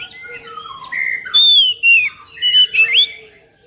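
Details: Oriental magpie-robin song to coax a reluctant magpie-robin: lower warbled notes slide downward, then four loud, sharp whistled notes, the last ones rising.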